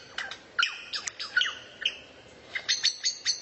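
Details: Bird song used as tutor material for training a white-rumped shama: quick, sharp chirps and metallic whistled notes in an irregular, lively sequence, ending with high, ringing clipped notes.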